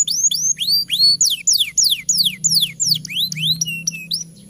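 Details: Domestic canary singing vigorously in a long master song meant to prompt young and lazy canaries to sing: curved rising-falling whistles, then a run of steep downward sweeps and brief high notes, over a faint low hum.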